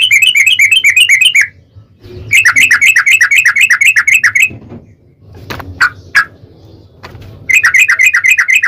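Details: Yellow-vented bulbul "ropel" song played as a lure to make another bird sing. Three long, loud runs of quick, ringing, gurgling notes are heard, with a few isolated sharp chips between them.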